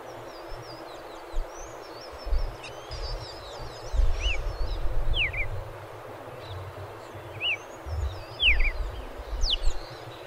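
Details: Red-crested Cardinal (Paroaria coronata), São Paulo, giving short, sharp down-slurred notes every second or so, with faint high twittering from other birds over a steady low rumble of wind or traffic.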